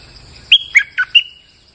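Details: Bulbul heard as a lure sound: one crisp phrase of four rapid chirps, falling then rising, closing on a short level whistle.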